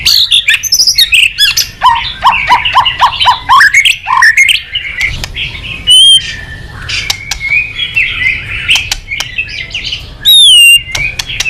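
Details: White-rumped shama in long, varied song: rapid chattering runs and stepped notes, then scattered sharp chips, with two loud pure whistles that sweep downward standing out near the middle and the end.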